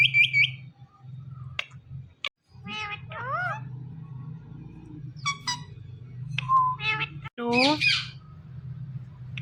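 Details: Green Indian ringneck parrot kept as a talking pet, chattering in rapid bursts of warbling, voice-like syllables and falling whistled notes, with clicks and a constant low room hum underneath.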